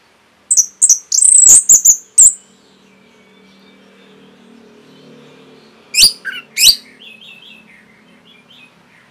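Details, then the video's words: Orange-headed thrush singing for a caged-bird training recording: very high, thin, slurred whistles with sharp clicks. A soft hum runs underneath, then a later group of higher twittering notes follows. "ANIS MERAH PASTI MENGIKUTI KICAUAN MASTERAN INI"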